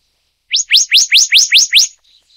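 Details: Seven loud, ringing upslurred whistles in a fast even run from a Black-naped monarch (Hypothymis azurea oberholseri, endemic to Taiwan), each note sweeping sharply upward, then a brief soft trailing note.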